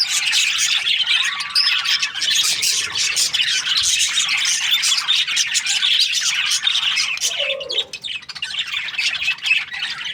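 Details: Breeding-season budgies chatter in dense high chirps and squawks, a faint long whistled note early on, the flock quieting slightly toward the end.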